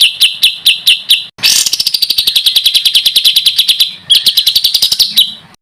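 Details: Songbird from a training recording for contest birds: five spaced sharp chirps, then a long rapid buzzy trill of evenly repeated high notes, followed by another run of quick chirps and a short fading trill.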